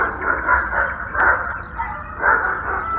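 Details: Common starling singing on 8 April 2020, during mating and nest building: a rambling mix of mid-pitched warbles, rasping notes and short whistles in quick succession, over a soft background hiss.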